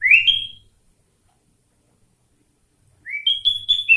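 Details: Captive sooty-headed bulbul singing with learned greater green leafbird phrases: two bright whistled notes sliding upward, one at the start and another after a three-second pause, each ending in a short sustained high whistle.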